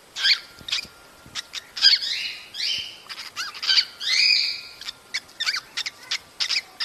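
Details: Breeding-encouragement calls of cockatiels: clear, rising whistled notes, some with a layered upper tone, mixed with quick scratchy chirps and clicks.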